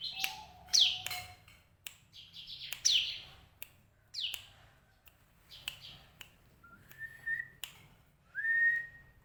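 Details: Captive bar-winged prinia held in a daily cage for breeding gives scattered sharp downslurred chirps among clicks, then two short rising whistled notes near the end.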